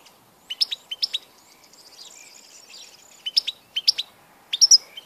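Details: European goldfinch recorded on 16 March 2014, giving short clusters of two or three bright, clipped chirps every half second or so, with a faint background twitter.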